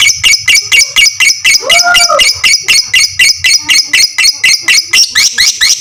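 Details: Fighter lovebird, its long ngekek used to train other lovebirds: sharp, high chattering pulses repeated about four times a second, with a short, lower, wavering note slipping in near the middle.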